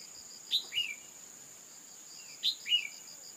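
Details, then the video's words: Female call of the red-whiskered bulbul used to spur a male into song: two phrases about two seconds apart, each a bright high chip followed by a downward slurred note, over a continuous high whine. "Kích chào mào trống hót căng lửa bằng tiếng chim mái cực chuẩn"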